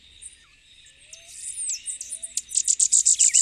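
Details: Endemic Puerto Rican Elfin-woods warbler song builds in the final second: a quick run of piercing, evenly spaced high notes growing louder. Earlier come scattered thin chirps and slurred whistles from other birds, over a background insect drone.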